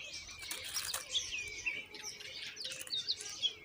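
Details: Common myna chicks begging as their mother brings moringa to feed them: rapid, harsh, high-pitched chirps and raspy squeals in uneven bursts, with a few clear whistled notes and wing flutters.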